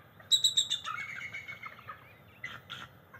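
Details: Bald eagles, a mated pair perched nest-side at NCTC on the morning of July 22, 2023, trilling to each other: a fast string of shrill, whistled notes sliding from high to lower pitch, followed by two short squeaky chirps.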